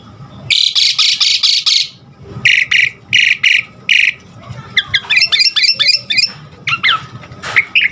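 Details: Asian pied starling song, kept in captivity and used to train caged birds to sing: repeated harsh buzzy bursts, then a run of short quick phrases and chattering notes, over a low background rumble.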